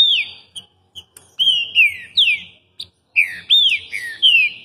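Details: Green-winged Saltator in Rio de Janeiro singing a lot: loud, clear whistled phrases of slurred, falling notes, broken by short pauses and a few quick chips. Faint low background rumble.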